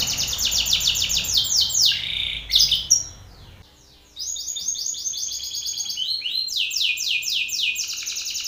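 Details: Aggressive Belgian canary male singing strongly toward another male: rapid high trills, a sharp break into near silence, then new fast trilled tours of repeated sweeping notes.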